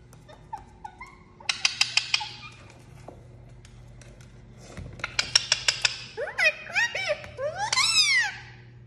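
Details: Talking parrot producing rapid trains of sharp clicks in bursts, then a run of rising-and-falling whistled notes and squeaky chirps toward the end, indoors with a low steady hum.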